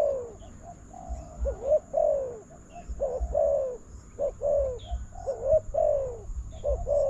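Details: Spotted dove calling back at a decoy while being trapped at a newly opened enclosure; continuous run of mellow paired coos, falling in pitch, with occasional faint chirps of other birds.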